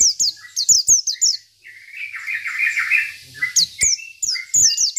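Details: Local Oriental white-eye singing hard: clusters of high descending whistles framing a longer stretch of lower, rapid warbled chatter, then more quick high slurred notes.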